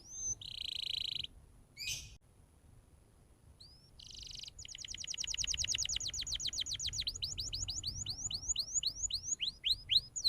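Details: Canary song played to train young canaries: two buzzy bursts and a lone whistle, then a long accelerating trill of rapid slurred notes that slows into distinct upswept whistles near the end.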